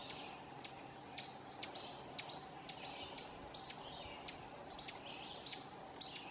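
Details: Ovenbird scolding at Silvio O. Conte National Fish and Wildlife Refuge, Essex County, Vermont, on June 18, 2016, giving sharp, high chips about twice a second in an irregular series over a faint steady background hiss.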